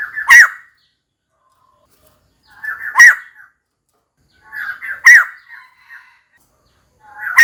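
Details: Female white-crested laughingthrush calling for a mate, in clear recording: short loud bursts of harsh chattering notes, each ending in an emphatic accent, repeated about every two seconds with silence between.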